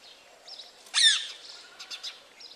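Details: Brahminy myna attacking house sparrows at their nest site: a single loud, harsh, rasping call sweeping downward about one second in, followed by softer scattered chirps and a faint high chatter.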